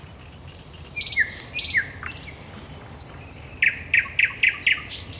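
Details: Nightingale song after dark at the Raszyn Ponds, Poland, 10 May 2021: several falling slurs, high piping notes, then a rapid, regularly repeated series of sharp chipping notes.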